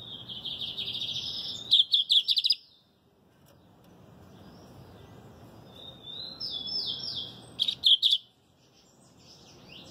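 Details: [2, 'Lined Seedeater singing: a thin whistled note gliding upward, then a rapid buzzy cluster of notes. The pattern repeats about six seconds later with sliding whistles.']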